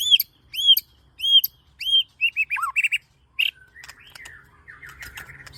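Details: White-rumped shama (murai batu) song played as a lure to prompt captive birds to sing: four clear arched whistles at a steady pace, then quick varied notes, a low dip, and fading buzzy trills.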